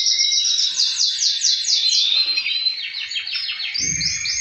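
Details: Male canary song, other males answering, used to prompt breeding: a quick series of sweeping descending high notes repeated about twice a second, then varied rolling trills; a brief low knock near the end.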